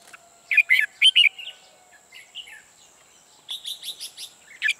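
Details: Trapping decoy red-whiskered bulbul sings sharp paired chirps, a soft slurred whistle, then a rhythmic series of five or six evenly spaced bright notes, ending with another loud note.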